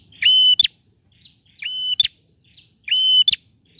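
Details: Gacor singing of a male bar-winged prinia to prompt silent birds: three regular phrases of a sustained high whistle cut off by a sharp accent, with a faint buzzy note between phrases.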